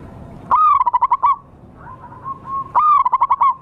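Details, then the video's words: Wild local zebra dove lure call: two bursts of rapid staccato coo notes near one pitch, each opening with a rising note and breaking into quick pulses, with a softer steady tone between the bursts. "suara pancingan dan pikat burung perkutut liar lokal paling ampuh"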